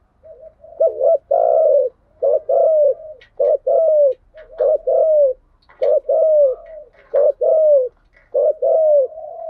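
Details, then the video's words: Spotted dove lure song in the 'thúc gù' and 'gáy gọi' styles, meant to stimulate captive birds: a steady series of short, low, throaty coos, roughly one phrase per second, each slightly falling at the end. "Tiếng chim cu gáy mồi giọng lôi cuốn hấp dẫn đủ bài[ THÚC GÙ , GÁY GỌI ]"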